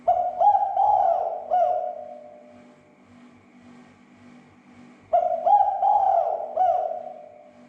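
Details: Spotted dove calling, used as a lure to provoke other spotted doves into agitation and calling; two phrases five seconds apart, each of about four low, arched, hollow coos run together, with quiet hum between.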